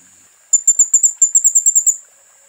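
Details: Sunbird known locally as kolibri ninja, in a training tutor song from Central Java. A single thin, piercing high trill of quick, slightly uneven pulses lasts about a second and a half.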